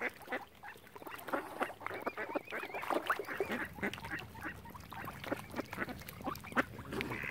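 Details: Flock of ducks surrounding a family of swans at Oxford Island on Lough Neagh, Ireland; busy chorus of rough quacks, a wavering whistled note running for about a second midway, steady lakeside background.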